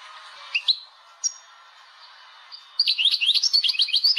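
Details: Algerian European goldfinch kept in a cage, a few isolated chirps over quiet background, then a rapid burst of high twittering, liquid notes in the last second and a half.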